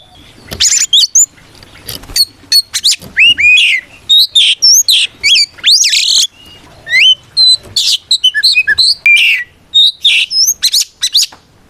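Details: Fighting song of an Oriental magpie-robin that calls an opponent and goads others into replying; a long busy stream of sharp whistles, upslurred and downslurred sweeps and scratchy bursts, nearly continuous with short gaps.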